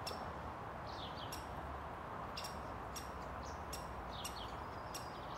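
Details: Great spotted woodpecker in Ljubljana Botanical Garden, 31 May 2023: sharp, abrupt 'kik' notes, about seven in five seconds, alongside short whistled notes from another bird and a steady low traffic rumble.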